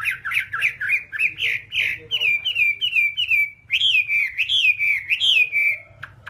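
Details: Whambie song from an hour-long tutor recording for training caged birds: continuous sweet warbling of slurred, wavering whistles, phrases running into each other with brief gaps and soft low hum beneath.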